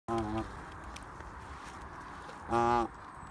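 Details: A male Canada goose preparing for the breeding season on 6 February gives two short, nasal, honking calls about two seconds apart, low and rich in tone, over faint outdoor background noise.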